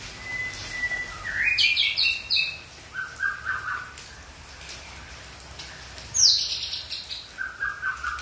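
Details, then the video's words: Young wild Aceh white-rumped shama singing in the forest: steady whistles, a burst of high sweeping notes, lower fluttering trills, then another sharp downward sweep. "Murai Aceh Muda Hutan"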